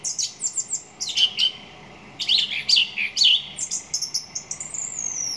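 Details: Song thrush delivering a busy run of varied phrases: rapid high chips, twisting whistled notes and sharp trills follow with barely a pause, ending in a thin, high, descending note.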